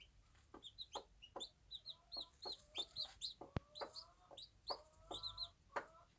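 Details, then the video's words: Small-farm bantam mother hen with her babies, giving soft rhythmic clucks about twice a second, some with a tonal, nasal ring. Chicks cheep high and thin throughout. "Cute bantam mum enjoying her day with the babies"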